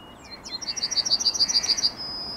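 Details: Yellowhammer morning song recorded on 9 May 2021: a rapid series of about a dozen evenly spaced, high, buzzy notes, ending in a longer drawn-out high note, with a faint background hiss.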